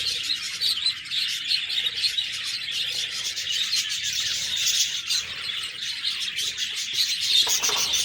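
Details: Budgerigar chirping, restless and overlapping: quick high tweets, buzzy warbles and a brief squawk near the end.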